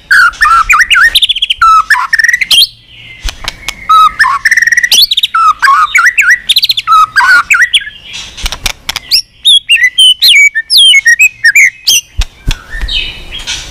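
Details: White-rumped shama on its perch, flicking its tail and singing long and steadily in many unusual voices: dense, rich rapid warbling with fast trills, slurred whistles and harsh notes running almost without break.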